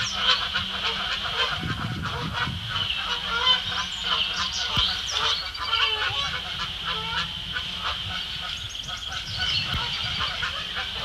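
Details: A neck-tagged Canada goose getting into scuffles with other Canada geese at Bubbler Island, Sapsucker Woods Pond, Ithaca, New York, 12 May 2017; a continuous chorus of rough, overlapping honks runs throughout, with a low rumble early on.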